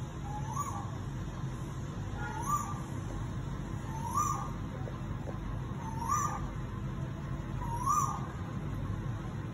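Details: A koel in summer gives five rising, whistled calls, one about every two seconds, over a steady low background rumble.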